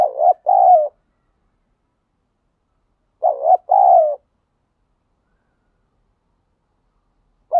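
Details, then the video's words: Wild spotted dove repeating its 'thúc gù' coo: paired notes, a short wavering coo then a fuller falling one, recurring about every three seconds, with the start of another phrase cut off at the end. "chim cu gáy thúc gù bài bản, chim cu gáy đất thúc gù ngoài tự nhiên"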